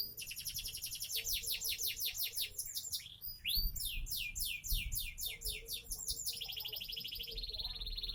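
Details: Sonji SF canary aged seven months, caged in Indonesia, pours out rapid falling trills, loud sweeping notes and a rattling buzz, with low rumbling background noise.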